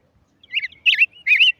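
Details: Short tigrillo song of three warbled, twittering notes, each a rich whistled slur with buzzy edges, rising in loudness, in a quiet setting.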